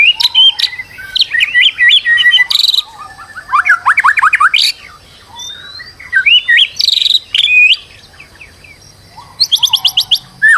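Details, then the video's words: White-rumped shama in a stressed state serving as a singing lure: loud varied phrases mixing whistled slurs with rapid rattled trills, separated by brief pauses, one high trill near the end. "PANCINGAN MURAI BATU STRES AGAR GACOR"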